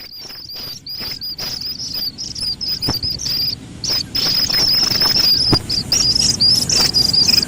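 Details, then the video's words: Slaty-legged crake chick calling: thin, high, slightly wavering peeps in quick, uneven runs, almost continuous through the clip, with sharp clicks mixed in over a low background rumble. "Suara anak Burung Sintar MP3 || Slaty-Legged crake"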